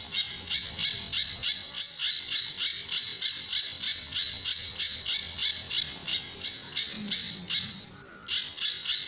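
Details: Tembakan and besetan style song of a Sunda bush warbler used to train other birds: long steady series of harsh high chips about three per second, briefly broken near the end, then resuming.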